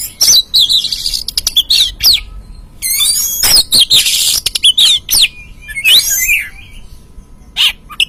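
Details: Oriental magpie-robin song used as a lure to make a caged bird sing: a rapid, varied stream of sharp whistles, trills and harsh scratchy notes that continues with only brief gaps.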